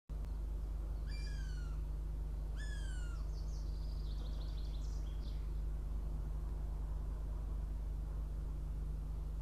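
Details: Northern goshawk chick (hawklet) at a nest near Riga, Latvia, on a live nest camera, arriving for breakfast at 06:14 on 23 June 2017; two loud, wailing, downslurred squeals about a second and a half apart, then fainter rising notes, over a steady low hum.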